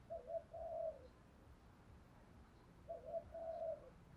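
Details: Spotted dove singing the 'thổ pha đồng' style to train decoy birds: two quiet, matching phrases of low stuttered coos and a drawn-out note, about three seconds apart, over a noisy hissing background.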